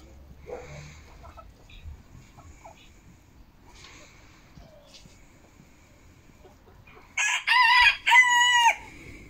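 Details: Chicken in a home flock on Monday, 10 October 2022, when eight eggs were laid. Quiet rustling and faint distant voices come first, then a sudden loud crow in two strong, ringing, drawn-out segments near the end.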